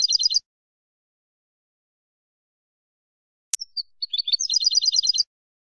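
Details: European goldfinch song for educating captive birds: a short burst of quick high twitters, a click and silence, then a few thin notes building into a rapid tinkling phrase.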